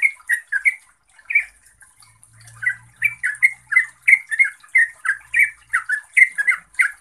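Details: Gacor-style song of a trucuk, the yellow-vented bulbul: lively series of short, bubbly, slurred notes delivered about three per second after a brief pause, with a faint low hum in the background.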